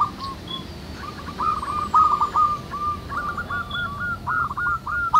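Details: Local zebra doves cooing together in the wild as a lure to set other doves singing: long runs of rolling, repeated coo phrases that grow louder and faster toward the end, with faint high chirps.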